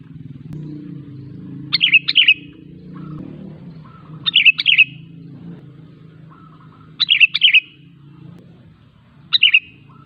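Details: Sooty-headed bulbul, used as a lure for other bulbuls; short jaunty whistled phrases repeated about every two and a half seconds over a steady low rumble of traffic, with faint low notes between phrases.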